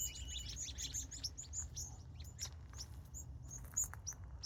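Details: Evening birdsong during a California sunset: quick, sharp high chirps from several birds, busiest in the first half and then thinning to scattered tweets, set against a low background rumble.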